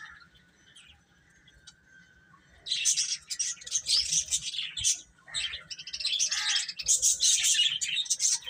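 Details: Near-quiet opening with a low hum, then a group of chicks breaks into loud, shrill chirping after about three seconds, rapid overlapping peeps with one brief lull near five seconds.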